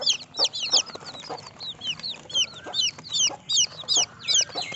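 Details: Young chickens give a steady chorus of shrill, piercing cheeps in quick bursts, each peep sharply bent, bunched into loud pulses roughly every half second over faint shuffling.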